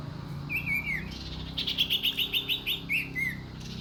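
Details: Common iora calling: a couple of high notes that slide downward, then a quick run of about eight short, even, high notes. More falling notes close the phrase, with low background hum beneath.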